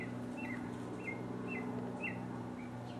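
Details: Mockingbird in 2015 repeating one sharp, clipped down-slurred note about every half second, five times in a row, over a low mechanical hum.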